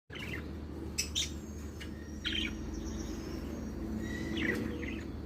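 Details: Budgerigars from a May 2023 clutch giving short, scattered chirps and squeaky notes over a steady low hum.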